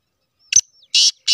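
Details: Black francolin, a Sheedi cross, opening its call with a thin sharp tick and then loud, wide, rasping buzzy notes, the phrase cut off after the second one.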